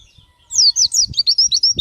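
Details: Oriental white-eye pouring out a quick, high-pitched warble of slurred whistles, each note sweeping down, with soft low knocks in the background.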